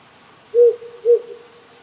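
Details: Wild owl calling at night in the Japanese countryside on a cold night, with few insects or frogs calling. It gives two low, even hoots about half a second apart over the quiet rush of a brook.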